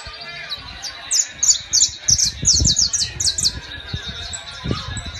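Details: A saffron finch ("canario criollo"), bought the day before, sings in Guajira, Colombia: a quick run of sharp, high chips and slurred notes, about three per second, then trails off, with low thumps and background noise.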